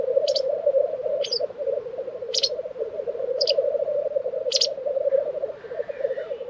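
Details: Lekking black grouse, Tiveden, Sweden, April 2023: rolling low bubbling carries on without pause, punctuated by five short explosive hisses roughly every second, with a faint distant bird note near the end.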